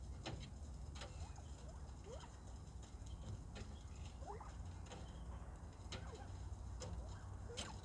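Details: Male Northern Bobwhite quail kept with other captive birds, calling a lot on 21 February 2024: short rising chirps and squeaky upslurred notes, repeated irregularly every second or so, over a steady low hum and faint clicks.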